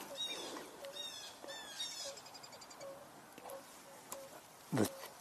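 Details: On 2 March 2024, tundra swans near water give high, yelping, bugle-like calls in overlapping bursts, growing more vocal. Softer repeated notes lie beneath, at least two red-winged blackbirds sing, and a person talks nearby.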